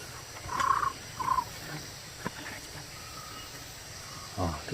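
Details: Puyuh gonggong partridge in forest on a hot day, giving two short, clear whistled notes about half a second apart, mid-pitched and slightly wavering, then going quiet against a low forest hum.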